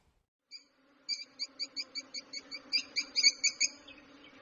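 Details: Lovebirds chirping when playing, eating or excited: a fast even train of about fifteen bright, clipped chirps, growing louder toward the end, over a soft low hum.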